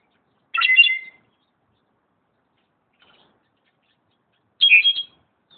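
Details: Slate-colored Solitaire calls recorded at Xel-Há: two short, squeaky, fluty phrases about four seconds apart, high-pitched and quickly warbled, with quiet between them.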